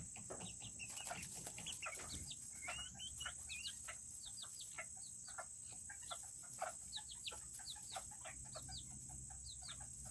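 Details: A flock of tiny Serama chickens in a coop on a cooler Tuesday. Dense, overlapping short chirps and peeps, some rising and some falling, come quickly one after another. A few lower clucks and a constant high-pitched hiss run underneath.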